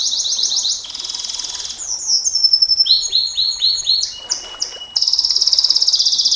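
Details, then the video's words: Canary's long 'nembak panjang' song, used to tutor and provoke other canaries: dense high rolls, then a thin whistle, a run of quick downward-swooping notes, a long flat whistle, and a loud, fast rattling trill to finish. "Suara KENARI NEMBAK PANJANG, Untuk Masteran Dan Pancingan KENARI SANG JUARA, Canary Sound"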